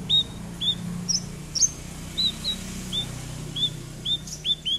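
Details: Javan bush lark in lively full song, used as a lure to get a silent lark singing: short, high, slurred whistled notes that dip and rise, spaced about every half second over a low steady hum.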